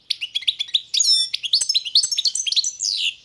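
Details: European goldfinch of the subspecies balcanica singing a dense, rapid twittering song of liquid, tinkling notes and short slurred trills, run together almost without pause for the whole stretch.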